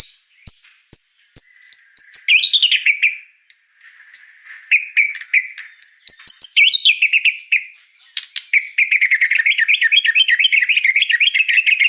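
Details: Actively singing white-rumped shama delivering high, sharp repeated whistles that lead into warbling slurred phrases and a long, fast, rapid chattering trill at the end.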